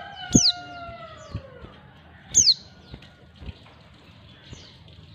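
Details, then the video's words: Calling female white-eye attracting males: two thin, high, steeply descending notes about two seconds apart, a lower drawn-out falling tone at the start, and scattered low knocking sounds. "panggilan pleci betina. pleci jantan auto nyawut"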